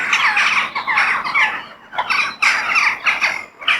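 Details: Harsh crow caws outdoors in nature, several birds squawking over one another in bursts, with a quieter dip at about the two-second mark before the raucous calling resumes.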